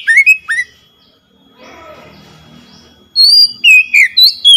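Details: Oriental magpie-robin song played to spur a silent bird into singing; two brief whistles, a faint low murmur of background sound for about two seconds, then a fresh loud burst of sharp slurred whistles.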